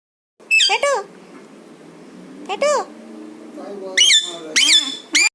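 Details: Parrot talking: short, bright, strongly bent squawking syllables in clusters, louder and higher toward the end, with a faint murmur between bursts.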